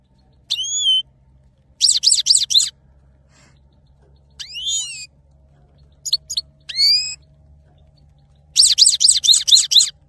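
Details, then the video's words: Saira goldfinch male singing: wheezy drawn notes, rapid twittering trill bursts and rising whistled slurs, delivered in separate phrases with pauses between, a faint low hum in the background. "male saira gold finch singing"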